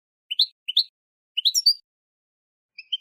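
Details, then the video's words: Hybrid of goldfinch with linnet, song meant to encourage other birds to sing: paired rising chirps followed by a quick twittering burst, then a long pause and faint high notes. "تبتبيت لتحفيز الطيور على التغريد"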